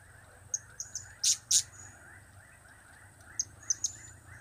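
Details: Soft, thin high ticks and two louder shrill chirps from a blue-crowned hanging parrot, whose calls are known as cap, kiak and crap, heard against faint background noise.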